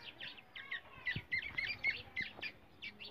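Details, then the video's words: Black francolin call used to lure and trap francolins: quick, thin chirps, bright and slightly squeaky, repeated about four times a second in short bursts with brief gaps. The background is quiet apart from faint low thumps. "teetar ki awza teetar pakdia ki tarika teetar voice Kala teetar"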